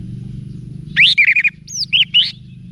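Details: Cage-bird training song of an orange-headed thrush: a short loud phrase of rising whistles and rapid chattering notes, ending with two clear upslurred whistles over faint low hum.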